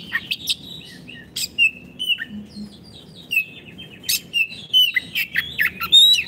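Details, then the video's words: Caged Oriental magpie-robin in full, active song used to tutor silent birds: scattered sweet whistled phrases and quick chips with short pauses, over a faint low rumble. "Terapi Kicauan Kacer Gacor pas untuk masteran Kacer macet bunyi"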